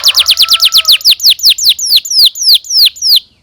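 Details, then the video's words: Canary tutor song for young canaries: a single tour of loud, descending whistled notes that starts rapid and gradually slows over about three seconds, ending in clean separated chirps. "PANCINGAN Kenari GACOR PANJANG Cuit CUIT EMOSI ini AMPUH utk MASTERAN Kenari PAUD belajar BUNYI"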